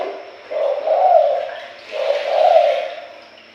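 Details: Spotted dove cooing played as a lure to draw in other doves: two low, soft, rolling coo phrases about one and a half seconds apart, each swelling in the middle, recorded close in a quiet setting.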